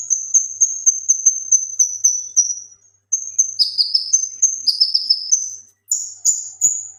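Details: Male leafbird performing the 'gacor tembakan' song used to train other songbirds: a long series of high whistled notes, a short gap, then lower sweeping phrases mixed with sharp high chips.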